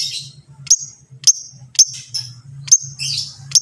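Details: Long-tailed shrike singing a training song meant to set other shrikes singing: sharp, high chirps repeated about every half second, with brief buzzy high notes between them over a steady low hum.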